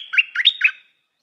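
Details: Stripe-throated bulbul, a new decoy bird praised for pleasing, well-phrased singing: a short bubbly phrase of three quick warbled notes rising and falling, then silence, with no other sounds.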